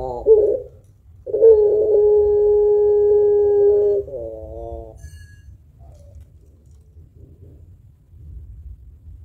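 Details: Barbary dove of the pelung kind, a strong singer with a long voice used as a lure for other birds; a brief rough note, then a steady coo held over two seconds, trailing into quiet.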